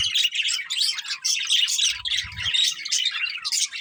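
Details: Pet budgies warble and chirp in fast, scratchy phrases with mixed squawks; a low rumble sounds briefly in the middle under the birds.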